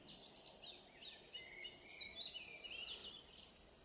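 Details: Tickell's blue flycatcher in tropical Asian scrub or forest: a run of thin, high whistled notes, rising and falling, some sliding, delivered in a quick tumbling sequence over a steady high insect hiss.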